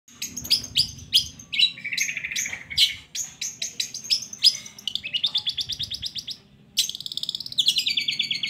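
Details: Long-tailed shrike song meant to coax reluctant shrikes into singing: a fast, varied medley of sharp high chirps, short buzzy trills and rapid repeated notes, with brief pauses and a dense burst of notes near the end.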